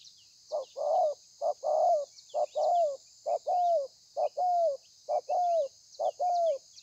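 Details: Wild-caught spotted dove in thổ pha song, 30/11/2020: regular short-then-long coo pairs, the long note rising then falling, repeated seven times at a brisk steady pace, over a high continuous hiss.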